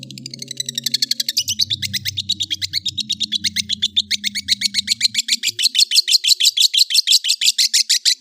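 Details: Chattering cendet song from a long-tailed shrike: a fast, steady trill of high, ticking notes, about three per second, building in loudness toward the end, with a low hum underneath in the first half.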